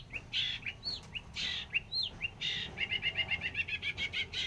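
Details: A very active long-tailed shrike delivering a varied, loud song: short rising whistles and buzzy notes, then a fast chattering run of about ten clipped notes near the end, with a faint low hum behind.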